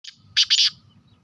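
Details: Female black francolin calling: a short harsh note, a pause, then two loud grating, buzzy bursts in quick succession. The background is quiet apart from a faint low hum.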